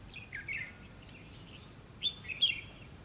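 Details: Red-whiskered bulbul singing its fighting song at a decoy trap, 2 February 2016. Two bursts of quick, sharp chirping phrases come about two seconds apart, the second louder, over quiet background hiss.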